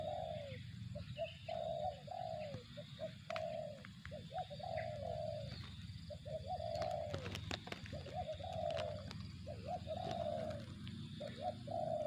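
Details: Spotted dove cooing in a steady run of soft, low, slightly rising and falling coos, grouped in short phrases every second or two, over a constant background hiss and low rumble.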